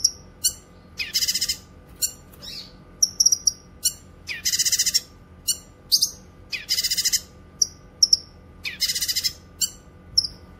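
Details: Grey-cheeked bulbul singing, a recording meant for tutoring cage birds and attracting wild ones: harsh, buzzy rattling phrases return every second or two, separated by sharp high whistled notes and short pauses.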